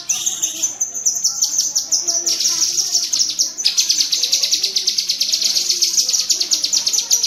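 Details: Cucak kinoi bulbul chatter in tembakan cerecetan style, offered as master audio for songbirds: a jumble of high twitters gives way to an intense, fast, buzzy rattle of closely packed notes.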